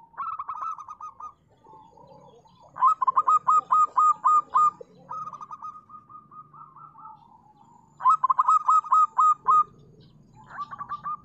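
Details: Local zebra dove song: bursts of fast, evenly spaced staccato coo notes alternating with softer sustained trilling passages, with a faint low hum underneath.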